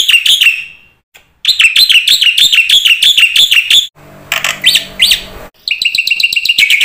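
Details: Black-winged myna pouring out 'isian' song, quick looping whistled notes in fast series, a brief passage of a few separate rising calls over low hum, then a dense, steady rattling chatter.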